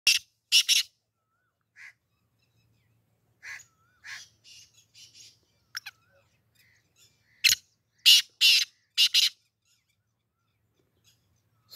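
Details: A black francolin kept and trained for calling tournaments, recorded in Sialkot on 17 June 2024 at 6:30 pm, gives harsh, grating, high notes in quick bursts of three or four, with quieter scattered chirps between.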